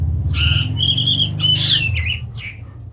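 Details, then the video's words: Oriental magpie-robin, Indonesia: a loud whistled phrase followed by harsh, rasping squawks and a sliding downward note, over a low steady hum. "kacer macet"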